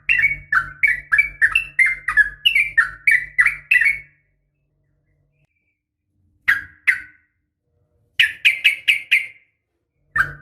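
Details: Sooty-headed bulbul female calling to the male in a rapid fighting style, about a dozen lively, slurred chirps in quick succession, then silence and short bursts of similar chirps, with a faint low hum behind.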